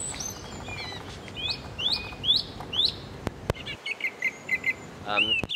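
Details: A song thrush, recorded in the rain on a UK wildlife walk, sings loudly and clearly from a bush, with loud, clear phrases each repeated three or four times: a rising whistled note, then a quick run of sharp chirps. A few handling clicks.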